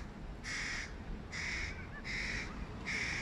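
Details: Hooded crow fledgling, one of three, begs loudly from a tree beside its mother while the father feeds a sibling fish: four harsh, nasal caws, each about half a second long and under a second apart, over low rumble.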